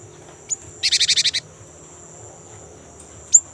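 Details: Young great tit singing a lot in the rolling 'ngerol' style, used as a lure to set kept birds singing: one fast buzzy burst of about seven pulses, flanked by brief sharp high chips over a steady high whine.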